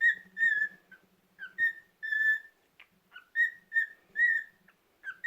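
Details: Domestic cockatiel whistling on a rest day: sustained clear notes, some drawn out, in a rhythmic sequence with brief gaps, over a faint low buzzing hum.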